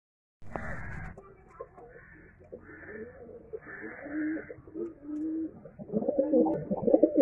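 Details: Saxon Monk pigeon chicks, a fancy domestic pigeon breed, indoors, giving a series of thin, wheezy squeaking calls in short bursts, growing louder and more insistent toward the end, with some rustling and handling sounds.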